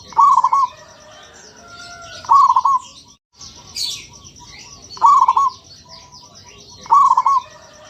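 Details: Zebra dove song: short trilled bursts of rolling coos about every two to three seconds, over a steady high hiss of insects and chirping birds.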